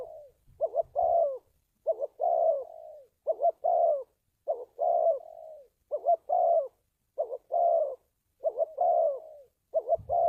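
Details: Spotted dove cooing used to lure wild doves into traps: a long steady series of about eight phrases, each a clipped two-part coo followed by a hoarse falling coo, nearly one per second, with a faint low thump at the end.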